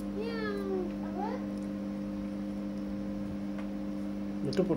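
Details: Captive Indian ringneck parakeet imitating a meow with a bending harmonic cry and a quick rising squeal, then quiet, over a steady backing music drone.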